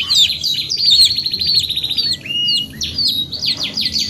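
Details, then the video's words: Short passage of canary song: a rapid even trill, then sliding whistled notes and quick downward-swept chirps. "TERAPI KENARI 2 IN 1 GACOR PANJANG | CANARY SINGING"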